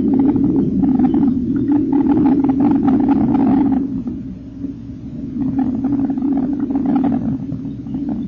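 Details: Kingfisher nestlings being fed in their nest, late April 2014, eyes just opening: a loud, continuous low churring buzz with crackly broadband rustles over the first four seconds, quieter in the middle, then rising again.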